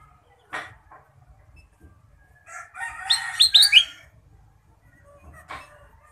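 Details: Ruby-throated bulbul (kutilang emas) singing energetically with a full repertoire: after a few soft clicks and rustles, a brief burst of sharp, down-slurred whistled notes mixed with scratchy chatter, then a final rustle.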